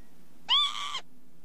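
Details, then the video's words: Northern lapwing call: a wheezy note that rises quickly, then eases down over half a second. Faint low hum is heard in the background. "ontspannen kievit geluid"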